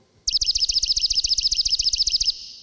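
A songbird's rapid, high trill of about eighteen sharp, down-slurred notes, roughly nine a second for two seconds, with faint low thumps underneath.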